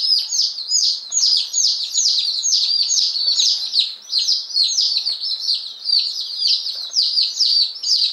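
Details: One-day-old Appenzeller Spitzhauben and White Crested Blue Polish chicks, ten and five, newly arrived on May 19, 2015. A dense chorus of high, piercing peeps, each sliding downward, repeats rapidly without pause.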